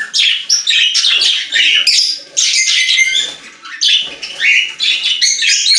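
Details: Several budgerigars singing in a pet store, their chatter loud and busy: rapid scratchy warbles and squeaky chirps in overlapping phrases, with a brief softer moment midway.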